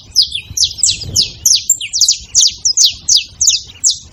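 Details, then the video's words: Quick, loud, high-pitched chip notes from a saffron finch, about three per second, each falling sharply, over a soft low rumble. "Canário da terra fazendo barulho"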